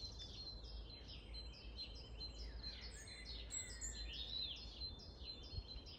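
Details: Long-tailed tits in Grunewald on 20 March 2021 give a steady stream of thin, very high chips and short buzzy trills, several birds calling over each other, with a low rumble of background noise.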